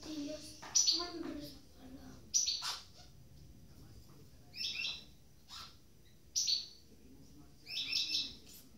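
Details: Goldfinch hybrid (mule) in captivity after completing its moult, one of a pair; high chirping bursts every one to two seconds, opening with a brief lower noisy sound, quiet hum behind.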